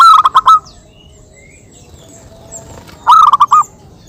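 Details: Local zebra doves in a calling exchange used to lure other birds: a brief rolling phrase of pulsed, hollow cooing notes, a quiet pause of about two and a half seconds, then a second similar phrase.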